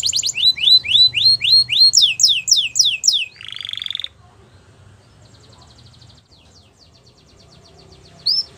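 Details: Belgian canary song with a run of upslurred whistled notes and downswept phrases, then a short harsh buzz, followed by near silence and a brief final note.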